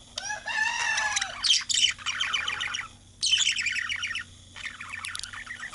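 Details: Male budgerigar warbling: a sliding whistle opens a fast, scratchy chatter of clicks and chirps in bursts broken by brief pauses, with a faint constant hum underneath.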